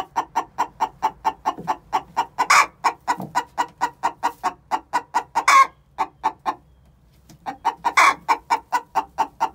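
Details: Six-month-old hens calling the egg song ahead of laying an egg, a steady run of rapid clipped clucks punctuated by three loud harsh squawks, with a brief pause before the clucking resumes.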